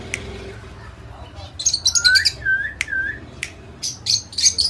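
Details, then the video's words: Pet Indian ringneck parakeet talking, producing clipped squawky syllables and sharp clicks mixed with short whistled, falling notes in an irregular run, with faint household background. "Indian parrots talking video"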